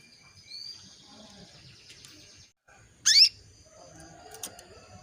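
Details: Female canary calling to rouse a male into breeding condition: faint high thin whistles early on, then a single loud, abrupt rising chirp, and quiet background afterward.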